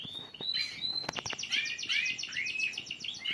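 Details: Young canary chicks beginning to sing while being tutored by listening; a short stretch of fast rhythmic trilling with repeated upswept notes, high and bright, over faint background hiss.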